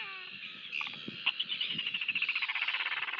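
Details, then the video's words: Royal albatross at a New Zealand nest while a chick is fed, 23 January 2023, on a webcam: a fast rattling series of pulsed notes that quickens to about fifteen beats, with constant background hiss. "Royal Albatross -Albatros królewski"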